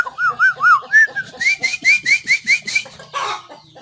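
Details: White-rumped shama (Copsychus malabaricus) song, recorded 17 April 2024: a quick run of about a dozen clear, arched whistles that speed up and rise slightly, then a short rustling burst.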